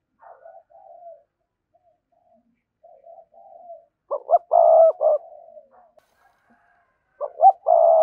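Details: Spotted dove sequence for luring wild doves. Quiet soft coos and murmurs come first, then a loud burst of clipped notes and a long buzzy coo near the middle, repeated toward the end.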